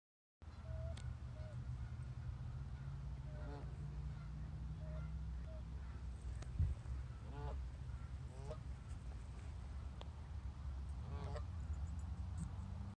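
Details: Geese on a lake give nasal, wavering honks in short bursts near the fourth, seventh to ninth and eleventh seconds, mixed with brief clear single notes, over a steady low rumble.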